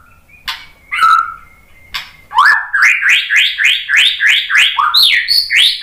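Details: White-rumped shama song used as a lure to provoke other shamas into singing. A few sharp notes open, then a fast run of loud, rising, slurred whistles, about three per second, climbing higher toward the end.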